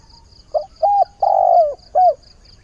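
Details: Spotted dove kept as a caged decoy, cooing to find a mate as the day begins. It gives a single four-part phrase, with a brief note, a paired coo, a long sliding coo and a closing coo. A thin, rhythmic high buzz pulses behind it.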